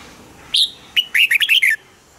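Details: Caged red-whiskered bulbul song intended to excite cage birds: a high clear opening note, brief pause, then a rapid bubbling string of five or six whistled notes, background quiet.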